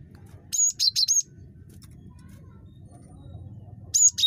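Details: Very chattery great tit (gelatik batu) calling in short, high, squeaky bursts: three rapid whistled notes early on, quiet, then another quick pair of notes at the close, with a faint low background rumble throughout.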